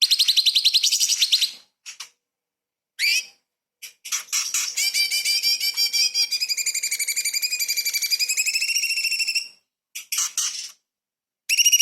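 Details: Light-vented bulbul singing small-bird fill phrases for tutoring magpie-robins: clipped high chirps, then a long sustained series of fast, even, whistled-warbling notes for five seconds, ending with short scattered bursts.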